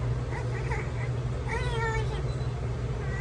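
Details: Pet Amazon parrot imitating a crying baby: wavering, wailing cries over a steady low hum.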